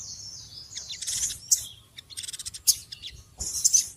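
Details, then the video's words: Small birds chattering noisily in short, scratchy, high-pitched bursts with quick stuttering notes, broken by brief pauses. "Suara Burung Kecil Ribut"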